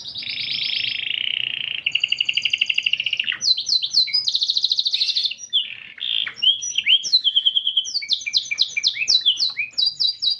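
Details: Canary with a unique cengkok song style: a low buzzy trill, then a higher rolling trill, followed by sharp repeated chips and fast series of descending notes, lively and varied throughout.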